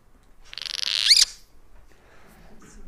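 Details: A Cliff Swallow gives its food-finding call on a cool, cloudy day, recruiting colony members to a swarm of flying insects: one harsh, squeaky burst of high buzzy pulses ending in a sharp twisting squeal.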